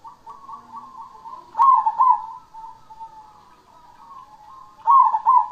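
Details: Cemani-type zebra dove singing actively: a soft, level, purring coo run gives way to two loud, stuttering coos, then quieter trilled cooing, and another loud double coo ends the phrase.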